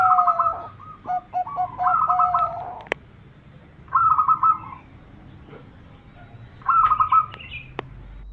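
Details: Zebra dove (perkutut) champion lure song for attracting birds: a busy opening of stacked trilled notes and short coos, then two separate rolling trilled phrases spaced about three seconds apart, with a few sharp clicks.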